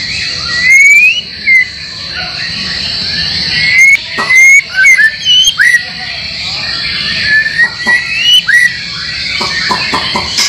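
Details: Training recording for caged white-rumped shama: varied whistles, upslurred notes and short chips in irregular phrases over ten seconds, with a persistent high hiss behind.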